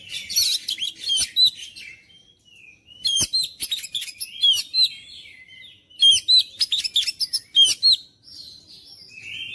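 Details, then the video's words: Oriental magpie-robin delivering a long series of rapid, sharp chirps and whistled notes. They come in dense bursts about every two to three seconds, with pauses between, and the series closes on a softer drawn-out whistle. "KICAUAN KACER MENGOYAK KACER BISU MALAS BUNYI JADI NGOTOT GACOR"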